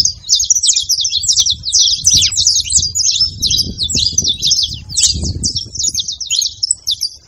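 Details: Several saffron finches sing at once to rouse a cold, quiet canary; high, clipped tweets and down-slurred notes follow each other rapidly with a murmuring low background noise.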